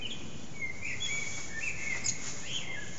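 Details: Common blackbird on an antenna, singing almost nonstop for three hours; rich, gliding fluty notes run through the whole stretch, dipping and rising, with a few high squeaky accents and a broad background hiss.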